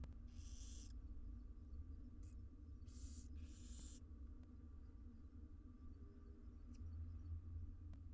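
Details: Six wild barn owl nestlings being fed in a research nest box in Israel give short harsh begging hisses in a cluster early on, then quiet with only low hum and faint knocks.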